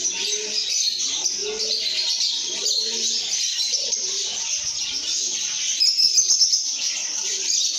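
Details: Lovebirds making happy sounds: busy high-pitched twittering throughout, a brighter burst of squeaks near the end, and short arched low cooing phrases repeated below.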